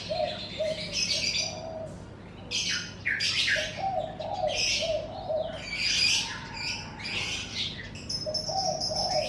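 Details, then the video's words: Morning birdsong recorded in front of a house: dense bursts of high, twittering chirps come in waves, over a lower series of soft, hooting coo-like notes and a faint steady hum. "Suara Kicau Burung"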